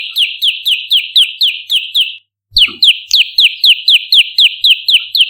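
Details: Olive-backed tailorbird lure track for attracting and training birds: rapid, evenly repeated sharp downslurred notes, about four per second, in two bursts separated by a short silence.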